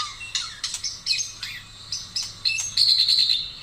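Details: Song of a Taiwan-type white-rumped shama: quick bursts of sharp chirps and clipped high notes, rising in loudness toward the end into a sustained bright whistled phrase; low background hum.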